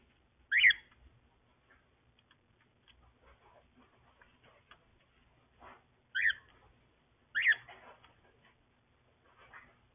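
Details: Yellow and grey pet cockatiels calling indoors: three sharp, bright whistled chirps, the first alone, then a pair about a second apart several seconds later, with faint clicks and shuffling between them.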